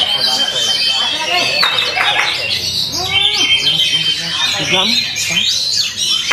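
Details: Oriental magpie-robin in a fierce display of song: a dense run of high, scratchy chirps and sharp squawks, with clear whistled notes and short downward-slurred phrases near the middle, the sound loud and continuous throughout.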